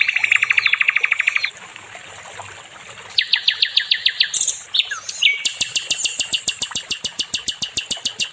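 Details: Nightingale song for training other songbirds: a rapid mid-pitched rattle, a pause, a higher chattering series, slurred whistles, then a long, accelerating run of very high staccato notes.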